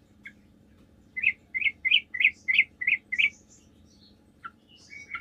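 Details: Sooty-headed bulbul singing a lure song meant to make other bulbuls reply: a lone chirp, then a steady series of seven clear, bubbly whistled notes spaced evenly, followed by a few softer high chirps.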